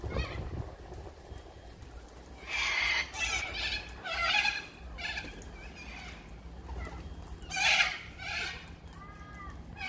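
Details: Little corella screeching repeatedly, with loud harsh bursts in clusters and short pauses between them, followed by a few thinner, rising squawks near the end.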